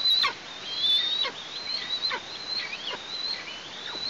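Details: Fledgling Eastern imperial eagle calling around a nest in Tatarstan, August 2023, three days after its first flight. Drawn-out, piercing high whistles run almost continuously, with brief downward breaks between long, level notes.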